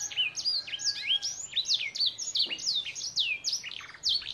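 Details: A crested canary from Gunung Kidul, Indonesia, delivering its 'isian' trained song: loud, rapid, high whistles sliding down in pitch, densely repeated, with a short sharp click midway.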